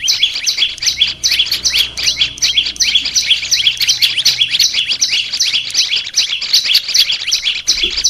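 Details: Olive-backed tailorbird, a pet bird sold legally in markets, singing for training: long unbroken series of sharp two-tone high notes, about three each second, with a faint low hum underneath.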